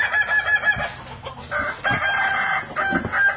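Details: Kukuak Balenggek cock, a native Indonesian breed, heard at dusk with dense, overlapping crowing syllables, bright and harmonic, pulsing throughout the short stretch.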